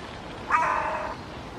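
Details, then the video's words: Hooded Crow perched in a birch tree in Helsinki, Finland, August 2022, calling loudly after softer calls toward its fledgling: one harsh, raspy caw lasting over half a second, over steady background hiss. "Hooded Crow calling with greater volume"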